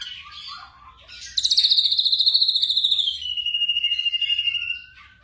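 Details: Black drongo, in a night-time training recording for caged birds: soft twitters, then a loud, very fast trill of repeated notes that slides gradually lower and runs for over three seconds before fading.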